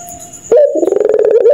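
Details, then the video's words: Pelung-type ringneck dove at night, cooing in the style locals call laughing: a brief faint whistle, then a loud pulsed, stuttering coo that rattles rapidly before ending on a steady low note. "Burung Puter Tertawa Kuntilanak Jahat di Malam hari"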